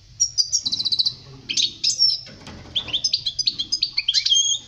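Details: European goldfinch song meant for teaching young birds to sing: rapid high twittering phrases, tinkling notes and short buzzy trills in quick bursts with brief pauses, a faint low hum underneath.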